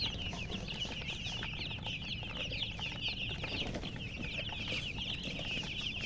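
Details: A flock of baby chicks keeps up shrill, overlapping peeps, each a short downward slur repeated many times a second across the group, over a low rumbling background.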